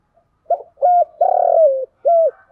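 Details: Spotted dove used as a luring decoy, giving a single four-part coo. It has a short opening note, an even coo, a long buzzy note dropping at its end, and a tidy closing coo, with no other sounds.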